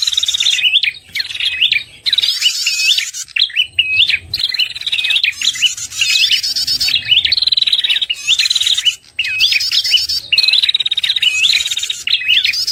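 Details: Lure call of the red-headed prinia used by trappers to draw birds in and to stir prinias that have stopped singing after moulting; continuous high chirps, hooked upslurred notes and buzzy trills, repeated in bursts with short breaks.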